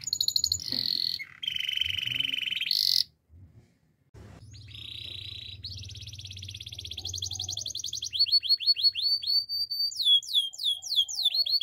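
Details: Spanish Timbrado canary singing a series of rapid repeated trills and rolled tours, shifting from buzzy mid-pitched rattles to higher, sharply rising chirped notes, broken by a brief pause, with a faint low rumble beneath.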